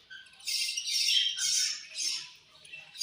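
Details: A caged budgerigar group feeding and chirping angrily, two loud bursts of harsh, grating high chatter about a second apart, fading to quieter squeaks at the end.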